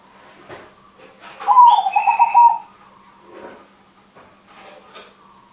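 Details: Crossbred zebra dove, a frequent singer with a big voice, used as a lure for other birds: one loud, fluttering cooing phrase of rapid rolling notes lasting about a second, over a steady electrical hum and faint clicks.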